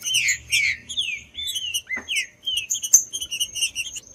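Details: Green-winged saltator singing, audio meant to stimulate a cold caged bird: rich slurred whistles opening strongly, then a run of shorter chirping notes, with a thin constant high tone underneath.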